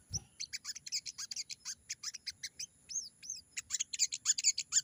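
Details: Wild sogon singing vigorously: a fast, busy stream of high, sharp chirps and short trills, several notes each second, with a couple of rising-falling whistled slurs near the middle and a low thump at the start.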